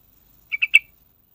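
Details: Sooty-headed bulbul notes played as a lure to trigger singing in other birds: a crisp run of three rich, rounded chirps delivered in quick succession, the final note strongest, against a quiet background.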